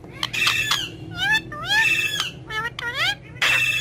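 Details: Green ringneck parrot talking at its mirror: fast varied chatter of raspy bursts and bending, slurred whistled syllables, with loud harsh screech at the start and end.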